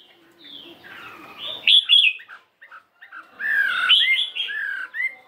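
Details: A caged fighting Chinese hwamei of 72 grams in morning voice practice, changing its tune: scattered short whistles and chirps, a pause, then a louder burst of rich varied notes.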